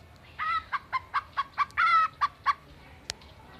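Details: Greater green leafbird mimicking a chicken; a series of about nine short clucking notes at roughly even spacing, one longer drawn note in the middle, followed by a faint click.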